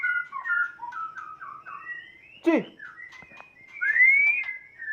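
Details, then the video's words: Sumatran white-rumped shama of Kota Agung and Medan Balak (Nias) stock singing a run of clear whistled phrases that step up and down, broken by a sharp downward-sweeping note, then a long rising whistle. "murai batu sumatra kota agung x medan balak (nias)"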